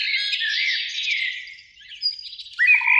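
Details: Eurasian blackbird singing in a springtime beech tree by a lake on an evening, one of two singing: a warbled run of fluting phrases that fades out, then a bright rising phrase with a steady low whistle near the end.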